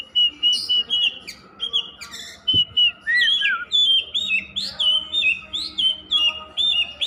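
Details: Oriental magpie-robin singing nonstop, a string of clear, high whistled notes with sliding and warbled phrases in rapid succession, one sharp knock midway, otherwise little background.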